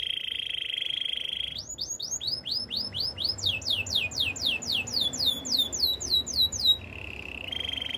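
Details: Canary singing: a steady buzzy trill at the start, then fast runs of downward-sweeping whistled notes, about four per second, rising into a higher sweeping trill before the buzzy trill comes back.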